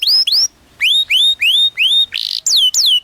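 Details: Canary singing a training song for young canaries: clear rising whistled notes repeated about three per second, a brief buzzy burst, then two falling slurred notes.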